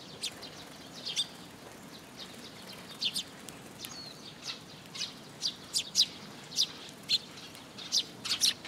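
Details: A flock of sparrows collecting at a post-top feeder at a Tenmangu shrine in June 2022: thin, high chirps that build into a rapid, steady series of sharp notes.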